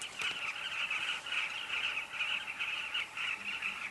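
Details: Breeding colony of carmine bee-eaters at Kavinga Safari Camp, a crowd of birds giving short burry chirps and trills that overlap into a steady, unbroken chattering din.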